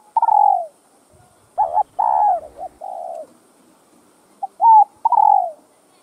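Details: Spotted dove cooing, in a recording meant to stir caged male doves into song: clear mellow coos, each phrase made of short clipped notes leading into a longer, slightly falling coo, repeated several times in a quiet setting.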